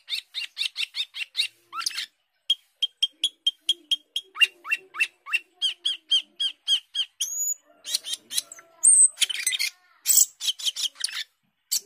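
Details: Asian glossy starling in extended 'gacor teler' song, a skilled mimic of other birds: quick chirps, a steady row of short flat whistles, rising slurs, then harsh squawking bursts and high chatter.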